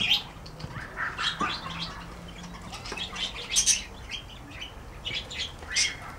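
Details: Several parakeets in a birdhouse chatter in quick, high, scratchy chirps and squawks, with bursts of wing flapping and a faint low hum underneath.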